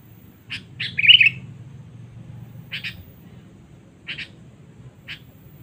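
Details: Sooty-headed bulbul, kept as a lure bird and calling out to rival birds, gives short, bright chirps: a quick pair, then a louder twittering burst, followed by single and doubled chirps spaced about a second apart, over a low background hum.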